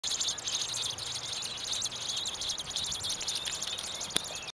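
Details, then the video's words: Robin nestlings in a tree nest, disturbed when a branch was moved and apparently mistaking it for their parent, beg in a dense, continuous chorus of high, thin chirps and buzzy squeaks over steady hiss. "Baby Birds Chirping in A Nest"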